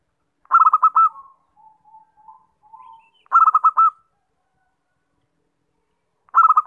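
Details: Lure call of a zebra dove: loud, quick-pulsed cooing phrases repeated about every three seconds. Faint, soft, low murmured coos fill the gap after the first phrase.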